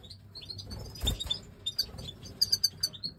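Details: European goldfinch, a pied white-headed major type, giving a quick twittering song of bright high chirps and short clipped notes in rapid clusters, with a brief low thump partway through.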